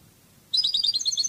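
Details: Brief rapid twittering trill from a European goldfinch, Cadiz song style on a training CD, starting abruptly after quiet.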